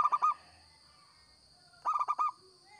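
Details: Local zebra dove singing, recorded for use as a lure: two bursts of rapid, pulsed cooing notes, the first cut short at the start, the second a full phrase of about five quick notes, over a steady high electronic whine.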